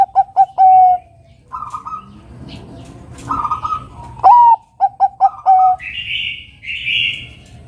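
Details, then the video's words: Bangkok-type zebra dove in full voice, used as a lure to call a rival into singing: staccato coo phrases, quick bouncing clipped notes ending in a drawn-out low coo, twice, with higher chirping birds between phrases. "Perkutut Bangkok Gacor suara burung Kutut Bangkok Gacor Pancingan manggil Lawan agar Bunyi Manggung"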